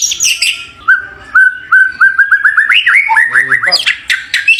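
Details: White-rumped shama, a champion songbird; a run of short whistled notes repeated in a steady series, climbing gradually in pitch, ending with quick varied twitters and a brief lower note.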